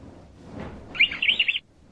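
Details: A male canary sings a brief burst of rapid, high, twittering notes lasting about half a second over a quiet background.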